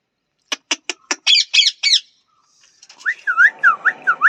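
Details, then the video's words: Parrot giving a rapid series of short, sharp clicking squawks that turn into longer harsh screeches, then after a brief gap a run of repeated looping whistled notes over a soft buzzy background. "parrot voice,natural parrot sounds,talking parrot,parrot natural sound,parrot natural"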